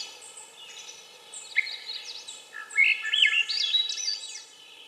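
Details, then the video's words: Swainson's thrush song: faint high notes at first, then one clear spiraling phrase of breathy, flute-like whistles that climb steadily higher before fading. "Swainson's Thrush - Bird Sounds"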